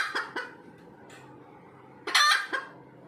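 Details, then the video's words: After laying an egg, a red junglefowl gives a couple of short clucks, then a loud, harsh squawk followed by a clipped note. "AYAM HUTAN SELEPAS BERTELUR"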